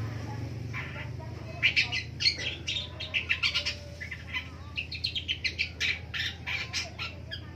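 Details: Long-tailed shrike singing in the morning: a busy, scratchy chatter of varied short notes and rapid clicking bursts in quick irregular runs, over a low steady hum.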